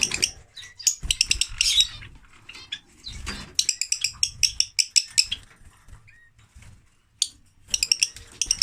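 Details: Lovebirds, a male and a female, giving bursts of fast shrill chattering notes, dense high squeaky trills in clusters separated by short pauses, with some low thumps and a man speaking Arabic around them.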